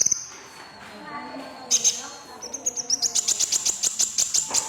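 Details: Red-breasted crimson sunbird singing: a thin high whistle opens, then a burst of notes, then a long run of fast, evenly spaced, very high chipping notes that speeds into a rattling trill.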